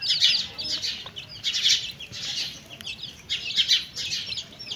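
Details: Chickens and chicks eating, with a mother hen present; dense bursts of high chick peeping come in waves, about four surges over nearly five seconds.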